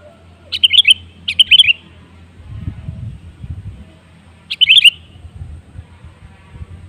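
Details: Sooty-headed bulbul (Pycnonotus aurigaster) song used as a lure to prompt other birds to sing: three short, bubbly, chirping phrases, two close together, then one after a three-second pause, over a low rumble.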